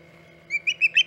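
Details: Osprey on the Hog Island nest in August 2019, around midday, with four short, sharp chirps coming quickly after a quiet start.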